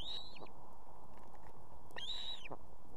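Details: In Estonia a nesting female osprey with two young calls for her mate to bring food: two drawn-out, high, arched whistled calls about one and a half seconds apart, over a low steady hum.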